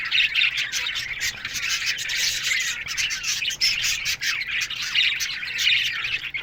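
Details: Flock of budgerigars in an aviary in the morning, giving busy, overlapping high chirps, whistles and squawks without a break, many birds calling together.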